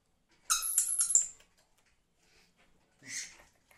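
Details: A female pet dusky lory, playing and being a sook indoors, gives a harsh, shrill screech lasting about a second, then a shorter rasping squawk two seconds later, in a quiet room.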